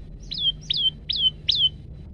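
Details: Olive-backed tailorbird (prenjak lumut) male, singing 'gacor' variation song captured with a phone: four piercing, high notes that flick upward and then slide down, evenly spaced about every half second, over a faint low hum.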